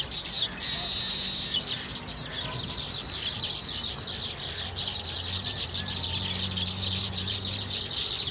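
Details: Baya weavers in a group, giving a dense, continuous high chatter of overlapping chirps and buzzy notes, with a low steady hum and faint lower tones underneath.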